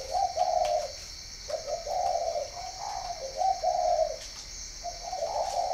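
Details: Spotted dove from northern Vietnam, kept at a dove-breeding garden in Ba Vì, Hanoi: a series of soft, low, mellow coo phrases, each a quick run of hollow notes, repeated about every second, with a steady high hiss behind them.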